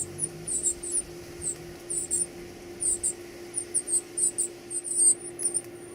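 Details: Baby birds being fed give high, thin squeaky chirps in short bursts, often paired, scattered irregularly over six seconds above a faint steady hum.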